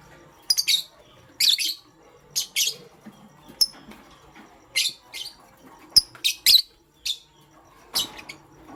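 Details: Pastel gray and green lovebirds chirping indoors in the morning, giving shrill high squeaks singly and in pairs, repeated roughly every half second to second with quiet gaps.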